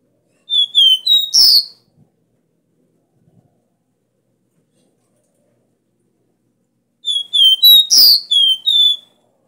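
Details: Caboclinho (copper seedeater) delivering the strong 'Dó Ré Mi' three-note song used to stimulate a caged male. Two short phrases of clear, high whistles, each with a loud harsh buzz in the middle, are separated by several seconds of silence.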